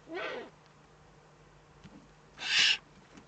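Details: Eurasian eagle-owl, Eifel, 3 May 2014: a softer rasping hiss, then a second, louder and sharper hiss about two seconds later, against a faint hum and a few light knocks.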